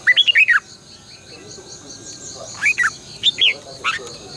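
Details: Red-whiskered bulbul singing in the morning, a decoy recording for training caged birds, long twisted double-voice style: two bursts of quick warbled, slurred notes, the first at the start, the second after a pause, over a steady high insect-like whine.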